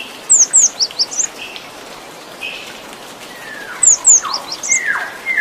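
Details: Cinereous tit singing a varied 'isian' song: sharp, high downslurred whistles in quick pairs and runs, with softer lower slurred notes between phrases and a faint background hiss.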